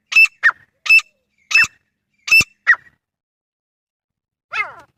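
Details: Grey francolin calling, recorded in a natural setting. Loud, harsh, clipped notes in a quick, uneven series, each harsh note followed by a softer lower one. A pause follows, then a single falling, squealing note.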